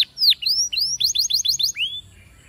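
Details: Brief Spanish timbrado canary song for training: a few long descending whistles followed by a tight series of short repeated chirps and one final downslur.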